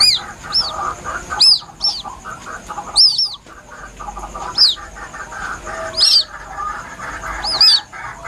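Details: White-breasted waterhen chick calling plaintively, a recording used as a hunting lure: thin, high, arched peeps repeated about every second or two, sometimes doubled, over a steady murmur of softer background chatter and hiss.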